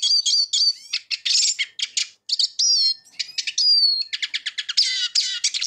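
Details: Eurasian siskin singing a fast, varied twittering song of high buzzy notes and trills, with a drawn-out descending wheeze near the middle, all well above the low range and without other sounds.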